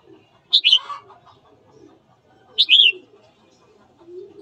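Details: Red-whiskered bulbul singing in the morning to provoke fighting: two brief warbled whistle phrases about two seconds apart, each starting with a sharp high note, with faint low background sounds.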